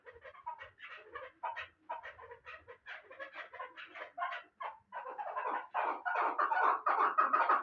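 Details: Pamir chukar partridge from Bartang, hatched last year and valued for hunting, calling in broken bursts of clucks with short silences, then building into a steady, louder rasping chukar series toward the end.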